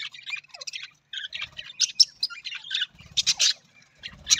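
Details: Budgerigar, the Australian parrot, chattering in a busy, warbling stream of high chirps, squeaks and buzzy notes, with louder harsh bursts toward the end and no other sounds.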